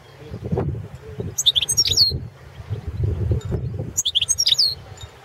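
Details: Two matching bright, high, tinkling twitter phrases about two and a half seconds apart, each ending in a slurred note, from a European goldfinch of subspecies balcanica in a 2017 song championship recording, with low background knocks.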